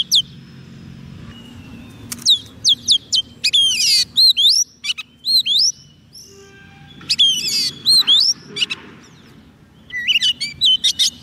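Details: White-rumped shama singing to lure wild birds, a varied stream of rising and falling whistles, quick high chips and buzzy rattles in bursts separated by short pauses, over a low steady background hum.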